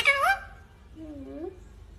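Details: Green ringneck parakeet talking: a sharp, bright rising syllable followed after a pause by a softer, lower drawn-out voice-like phrase, over faint room hiss.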